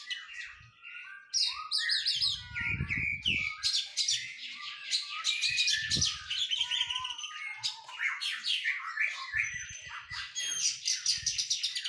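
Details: Post-moult Oriental magpie-robin in training, singing a long, dense run of chirps, trills and whistled slurs with hardly a break, and occasional low thumps and knocks behind.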